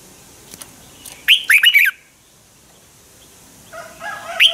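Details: Red-whiskered bulbul fighting song for bird training, one loud phrase of quick looping whistles over light background hiss, a lower steady whistle and a new phrase near the end.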